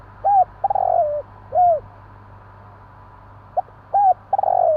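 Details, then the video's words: Spotted dove (Javan) calling at night in two phrases: hooting coos and a long rolling coo that falls in pitch, then an arched coo, repeated after a pause; low hum throughout. "burung tekukur bunyi malam hari/burung tekukur jawa"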